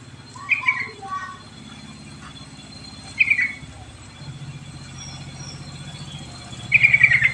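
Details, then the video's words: Sooty-headed bulbul lure song meant to prompt reluctant birds to sing: short whistled notes and three brief, bright trilled bursts spaced a few seconds apart, over a steady low hum. "Suara Pancingan Burung Trucuk Isian Istimewa Untuk Perangsang Trucuk Malas Bunyi"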